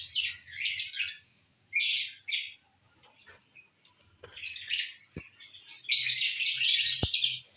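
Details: Lovebirds eating corn on the cob, uttering short shrill squeaky bursts, a quieter stretch with soft rustles and clicks, then a long run of dense, buzzy chatter.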